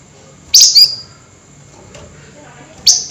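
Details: Flameback at night, calling in an emotional 'nyerecet' manner: a quick pair of shrill, high chips, then a pause and one more sharp note.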